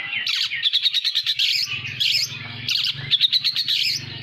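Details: Poci-type oriental magpie-robin from Pekalongan, singing with lovebird-style phrases: fast, sharp, repeated chirps and rattling twitters in quick bursts, with a low background hum.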